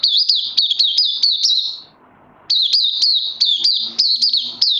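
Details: Oriental white-eye on day 2 of combined Lava and Life Force supplements, 31 May 2020. A high, buzzy twittering runs for nearly two seconds, pauses briefly, then comes back as an energetic stream of clipped rising notes.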